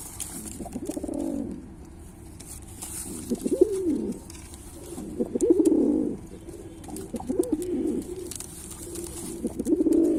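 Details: Pilkha breed pigeon cooing. Low rolling, throaty coos come in bursts about every one to two seconds, each rising and falling, with faint hiss in the background.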